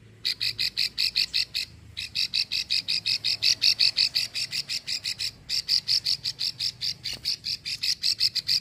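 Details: Female plain prinia giving a long 'ngekrek' klik call, used to lure males, Ulujami, Central Java. Dry, clicking high notes repeat about three per second in a long run, broken by two brief pauses.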